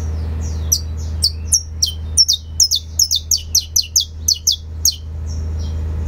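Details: A saffron finch delivers fibra song: about fifteen bright, high chips falling in pitch, evenly spaced roughly three per second, against a constant low-pitched hum.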